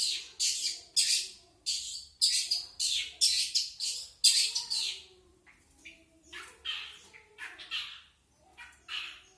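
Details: Long-tailed shrike singing in a standard style: a run of harsh, scratchy, broadband bursts about once a second, louder and tighter at first, then spaced, softer raspy notes with brief pauses.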